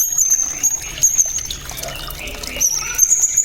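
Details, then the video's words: Blue-crowned hanging parrot, known locally as srindit, singing an 'isian cililin' fill described as very loud, sharp and clear: thin, high, drawn-out whistles recur in short bursts over a steady trickling water background. "SRINDIT ISIAN CILILIN"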